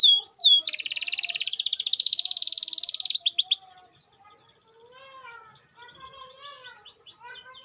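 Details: Canary singing vigorously to prompt reluctant canaries to sing: one sharp opening note, then a fast, loud, even buzzing trill lasting about three seconds, followed by quieter twittering and wavering warbles.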